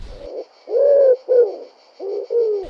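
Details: Common Wood Pigeon in the city of Neuchâtel, where the species also lives in parks, gives low, soft, breathy hooting coos in a rhythmic phrase, the second note longest; the bird coos in five beats.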